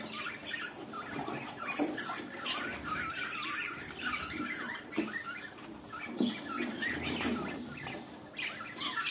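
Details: Budgerigars (lovebirds) during mating chatter in a continuous scratchy warble, with quick clicks, squeaks and brief sharp chirps that never settle into a pattern.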